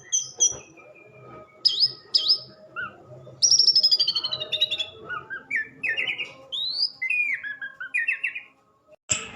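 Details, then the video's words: Orange-headed thrush pouring out loud rapid song: paired high chirps, a long descending series of fast notes, then rising and falling whistled phrases, ending with a short pause. "Kumpulan kicau anis merah"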